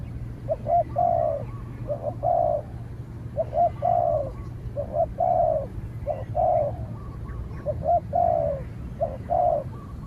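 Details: Spotted dove out for training, dueling with a wild dove that keeps its distance until driven off. A long run of about eight cooing phrases, each a brief note and a drawn-out coo, repeated steadily every second or so, low background drone.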